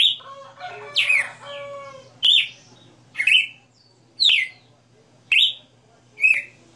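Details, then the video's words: {'c': "Owner's Red-cowled cardinal singing '60 notas': a busy burst of overlapping chirps opens, then crisp single whistled phrases follow about once a second."} "Galo de Campina 60 NOTAS Cantando Ao vivo"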